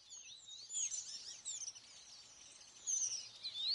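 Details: A Siberian rubythroat gives high, thin, twittering chirps and short whistled slurs in scattered bursts over a faint steady hum, recorded 17 January 2021.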